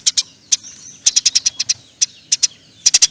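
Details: Eurasian tree sparrow singing eagerly, in the long "nyerecet" chatter style. Sharp high chirps fall in an uneven rhythm, some single, some in quick groups, with faint background noise.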